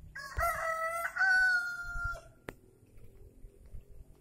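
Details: A rare free-range village chicken (ayam kampung): a rooster crows once for about two seconds, a few choppy, nasal opening notes running into a long held final note, then quiet background with one sharp click.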